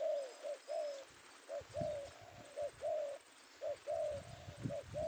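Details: Spotted dove male, penguku type, taken by trappers in the afternoon in Indonesia; clipped coos alternate short and longer notes in quick succession over steady background hiss and low knocking.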